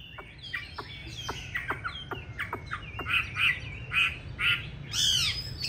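Chinese hwamei singing loud, varied whistles: sharp downslurred notes at first, then rich rolling phrases repeated about twice a second, over a low background hum.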